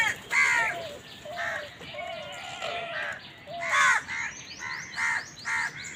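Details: A squabble among crows over food brings rough, hoarse caws alternating with lower, drawn-out croaks and a few thin, chirping notes in the background.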